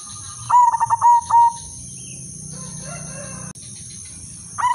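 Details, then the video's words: Silver zebra dove hen kept as a lure to arouse breeding urge in males: a brief burst of quick stuttering coos ending in a longer held note, then a quiet stretch of low hum before the coos start again. "perkutut silver betina paling cocok untuk pancingan dan naikan birahi semua jenis perkutut"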